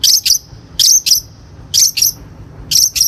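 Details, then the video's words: Long-tailed shrike lure recording used to train birds: high, sharp notes delivered in close pairs, three double bursts spaced about a second apart, with a quiet background. "PANCINGAN CENDET GACOR COCOK BUAT CENDET BAHAN | THE LONG - TAILED SHRIKE SOUND"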